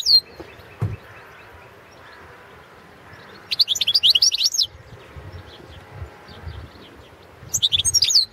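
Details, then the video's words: Competition recording of a Balkan goldfinch, Carduelis carduelis balcanica, entered in a Serbian-organised world song championship: a bright, rapid chattering phrase of jingling notes, then near-silence, then another twittering phrase begins at the end, over faint low rumble. "World championship in Goldfinch Song 2017"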